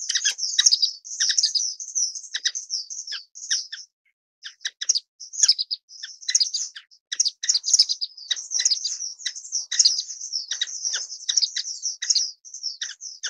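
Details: Orange-cheeked waxbill, Estrilda melpoda, calling almost without pause: sharp, high-pitched chirps and thin twitters tumbling together in dense bursts, broken by a few short silences.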